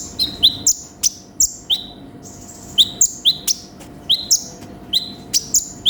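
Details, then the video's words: Olive-backed sunbird (konin) delivering gacor full isian song: repeated bright upswept chips paired with high thin whistles in an irregular, lively sequence, over a faint background hum. "MASTERAN BURUNG KONIN GACOR FULL ISIAN"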